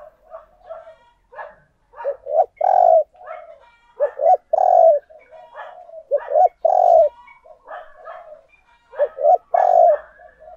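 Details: Spotted dove used as a lure for wild doves coos steadily: the same throaty phrase of quick notes rising to a long, emphatic coo repeats about every two seconds, with softer coo fragments between.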